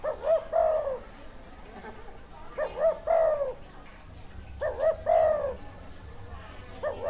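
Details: Wild spotted dove, said to have good karam style, repeating coo phrases about every two seconds: short hoots followed by a longer falling note, with a noisy background.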